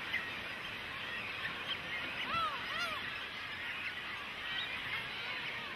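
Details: Cormorant chicks begging from parents: two clear, loud arched whines near the middle stand out above a softer background chorus of high chattering calls.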